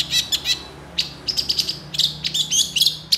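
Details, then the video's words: Long-tailed shrike, an agitated singer quick to answer other shrikes, in a full-fill training recording: short bursts of high chirps and trills, some sliding whistles, separated by brief pauses, with faint low hum beneath. "PENTET KONSLETTT . . PENTET GACOR EMOSI CEPAT DI RESPON CENDET LAIN, MASTERAN CENDET FULL ISIAN"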